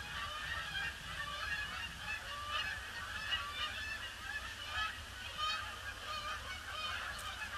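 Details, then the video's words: Flock of Canada geese on Boxing Day, wheeling around the pond before landing in gloomy weather; continuous overlapping honks from numerous birds, harsh and nasal, forming a steady clamour with low-frequency background noise. "Huge influx of Canada Geese"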